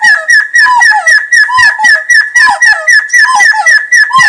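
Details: Dense, busy lure call of Red-billed Partridge: rapid high whistles mixed with lower falling notes, several voices overlapping almost continuously.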